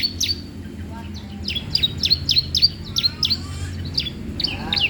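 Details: Bar-winged prinia singing for use as a lure and training master: rapid, sharp descending chirps repeated several times a second in lively bursts, with a low background hum throughout.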